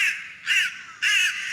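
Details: Crows in Tokyo, Japan: one caw is trailing off at the start, then two loud, hoarse, drawn-out caws follow after short pauses. The background is otherwise quiet.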